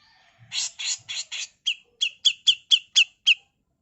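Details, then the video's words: Female grey-cheeked bulbul giving coarse 'mbeset kasar' tutor song: four broad, scratchy bursts, then a steady series of seven shorter rasps, each carrying a bright, pitched core. "Masteran Burung CUCAK JENGGOT FULL MBESET KASAR || Cucak jenggot betina"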